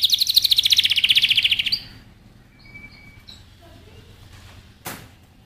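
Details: Excited male canary courting a female to mate, opening with a rapid, pulsing high trill for under two seconds before fading to near silence with one faint whistle and a brief click.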